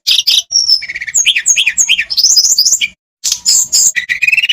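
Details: Olive-backed tailorbird song for encouraging silent birds to sing: a level whistle, then a string of downslurred chirps and rising notes, a short pause, then renewed twittering that ends in a rising trill.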